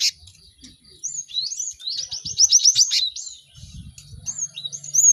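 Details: Cinereous tit singing in a busy chorus, used so other birds learn song quickly: whistled slurs lead into a rapid trill of repeated high notes, then softer whistles and low hum.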